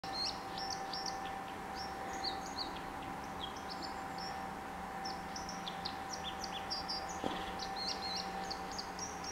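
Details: A White-throated Dipper (Cinclus cinclus) sings at Lochaugh, Derwent Valley, Durham, on 26 December 2018: a rambling stream of short, high, scratchy chirps and twitters, continuous throughout, over rushing background noise and a steady low hum.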